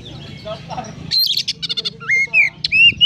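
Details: Magpie-robin singing in the sparrow-imitating 'konslet' style; after a soft murmuring lead-in, a rapid rattle of clipped chattering notes, followed by loud rising whistled phrases.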